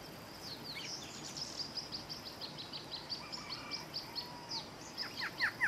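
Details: Male Barred antshrike singing a steady series of short, high nasal notes, about five per second; other birds call faintly behind, with a few sharp, falling whistles at the end.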